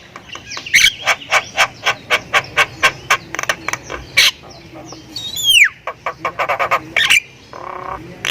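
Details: Javan myna, Thailand type, singing its varied fill-in song: a steady series of about a dozen dry clicking notes, one loud, sweeping downward whistle, then more clicks and a brief raspy buzz.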